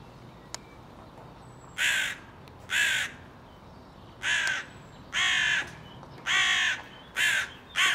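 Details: A hooded crow in Ljubljana on 18 May 2023 gives seven harsh, rasping caws at an uneven pace, roughly one each second, over a quiet background.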